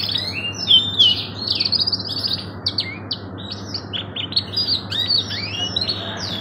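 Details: Long canary training song in the luxurious 'cengkok mewah' style: bright whistled sweeps, sharp upward and downward slurs and rapid chattering trills in quick succession, backed by a steady low hum.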